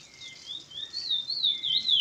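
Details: Curió singing continuous song, recorded in Maiobão, Paço do Lumiar, Maranhão: smooth undulating whistles wavering up and down in a flowing phrase, with a low background hum.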